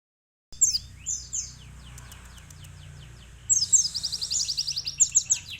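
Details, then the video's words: Sunbird song recorded for tutoring canaries: after a short silence, high thin descending chirps, then a dense, rapid, buzzy trill of sharp high notes near the end, over a faint low hum. "asli suara burung kolibri isian"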